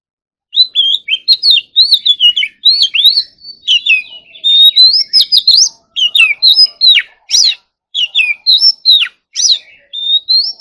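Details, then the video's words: Continuous morning practice song of an Oriental magpie-robin: varied sweet whistles mixed with sharp high chips and slurred rising notes in quick succession, steady and loud throughout, with no background noise. "Kacer Gacor Full Isian Tembakan Mewah || choè than hót đấu"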